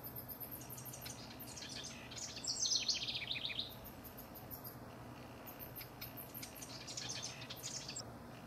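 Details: House wrens singing as rivals, recorded June 12–24, 2015: a rapid gurgling, descending jumble of high notes mid-clip, with a shorter second burst near the end, and dry ticking clicks scattered throughout.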